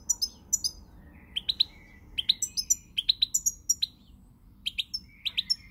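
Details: Singing European goldfinch recorded 20 March 2020, giving crisp, high chirps in quick pairs and triplets, interspersed with thin sliding whistles, steady and lively throughout.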